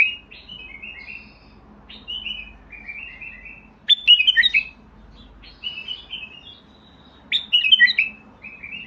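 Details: Basra bulbul in full song: series of clear whistled phrases broken by loud, rich bursts of rapid warbling roughly every three seconds.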